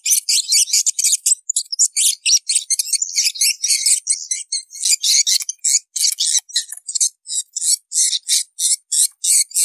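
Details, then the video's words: Edible-nest swiftlet calls meant to draw swiftlets into nesting houses: a steady, dense run of sharp high chirps and twitters, closely packed at first, then in more spaced, regular pulses toward the end. "Suara burung walit banyak datang"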